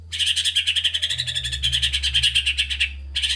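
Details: White-rumped shama delivering a fast, rattling trill of rapidly repeated buzzy notes for nearly three seconds, pausing briefly, then starting again; a recording used to motivate lazy, low-spirited shamas to sing. Low hum in background.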